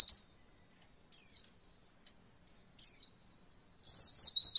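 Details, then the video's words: Oriental white-eye song used for training beginner birds in the roll voll style: a series of high, soft, downslurred whistled notes spaced about half a second apart, ending in a quick burst of rapid chirping. "Masteran Pleci Paling Ringan Untuk pemula belajar Roll Voll"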